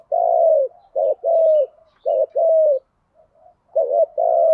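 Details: Spotted dove kept as a decoy to lure wild birds, cooing steadily: three low two-part phrases of a short note and a longer drawn, slightly falling coo, about one second apart, with a pause before a fourth.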